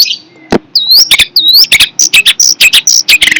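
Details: Long-tailed shrike, called fierce, gives a quick burst of song: a faint high note, then two looping whistled slurs followed by a rapid run of short, sharp, high chips and rasping notes.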